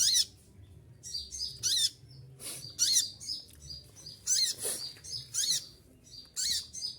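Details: High, piercing song from an olive-backed sunbird going through moult: roughly nine rapid, shrill bursts with short whistled fragments between, over a soft background hiss.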